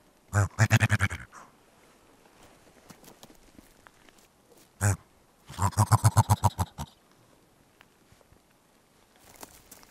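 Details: Dusky grouse in Black Canyon of the Gunnison River, Gunnison County, Colorado, giving two bursts of rapid, deep, guttural pulses, about ten per second, with a single short low note between them.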